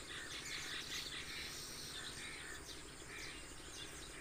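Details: Hundreds of sparrows roosting on a village pond islet gather in an acacia tree each morning before leaving to feed, chirping together; a dense, continuous wash of overlapping high tweets with steady insect-like buzz beneath.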